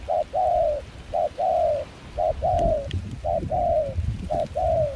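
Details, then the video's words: Five regular two-part coos, a clipped hoot and a drawn-out falling note, about one per second, from a wild-caught Spotted dove decoy with a mixed foreign-style voice in Kon Tum, Vietnam, recorded during rain and cold wind. "Gác cu khi trời mưa gió se lạnh.bổi giọng pha nước ngoài chơi tốt."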